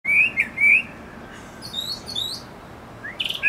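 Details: A Brown thrasher (Toxostoma rufum) singing in a mango tree gives loud, rich whistled phrases, the first given twice, then higher slurred notes and a harsh, buzzy ending over a faint steady hiss.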